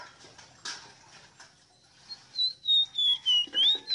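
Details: After soft background rustling and clicks, a ruddy-breasted seedeater, called ave rosita, sings a short series of loud, clear whistled notes, each wavering slightly, with the last one turning upward.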